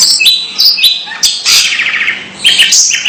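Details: Long-tailed shrike calling strangely: squeaky chips and whistles, then a long harsh rasping chatter and more sharp squeaks.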